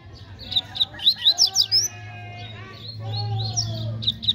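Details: Double-collared seedeater singing in a contest, noted as fast and spirited: a rapid series of sharp, rising chirped notes, a brief pause with low humming and a drawn tonal sound, then more short chirps at the end.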